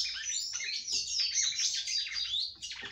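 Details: Red-cowled cardinal female singing to stimulate her male: an unbroken rush of high, twittering, slurred notes with quick rising and falling sweeps, ending in a short separate phrase.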